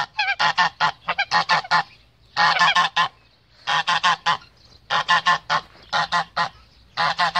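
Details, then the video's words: Male goose defending its female, giving loud harsh honks in rapid bursts of several notes separated by short pauses, repeated through the recording. "ذكر الاوز يدافع عن أنثاه Male goose defends its female"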